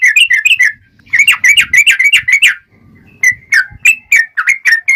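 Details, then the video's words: Yellow-vented bulbul in fighting-style rapid song, played to make other bulbuls answer: dense bursts of liquid, chattering whistles, a brief pause with soft low noise, then spaced single rising notes. "trucukan gacor TARUNG ROPEL PANJANG pancingan trucukan agar bunyi JADIKAN burung trucuk gacor NYAUT"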